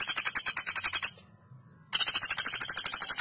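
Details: Sharp, long trill of a common flameback recorded as training audio: a rapid, steady rattle of high piercing notes, cut by a brief silence, then continuing at the same fast pace.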